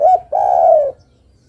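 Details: Spotted dove female calling to the male, giving a short wavering note followed by a long, steady, low coo that fades out.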